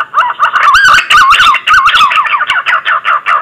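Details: Green pigeon call used as a lure for trapping: a loud, wavering, warbled whistle sliding up and down in a mid-pitched range, broken into uneven phrases.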